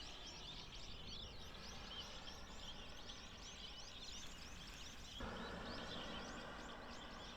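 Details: Bohemian and Japanese waxwings in early April, feeding on discarded apples, give a dense stream of thin, high, trilled calls that overlap continuously over a steady low rumble. The background noise shifts abruptly partway through.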